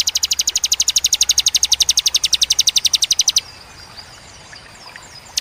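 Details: Clear, sharp 'tembakan' song from a ciwah cigun bar-winged prinia. A single unbroken machine-gun trill of high, evenly spaced notes runs over three seconds, then stops abruptly into quiet background.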